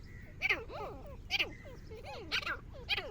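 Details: Black francolin calling: harsh, rasping bursts of descending strokes, repeated roughly once a second against a low rumbling background.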